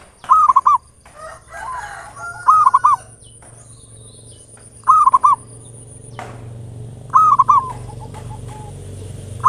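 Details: Zebra dove singing a lure song in ngayer nulop style meant to spur other doves: five crisp, rapid coo phrases spaced about two seconds apart, with faint softer calls and a low hum underneath.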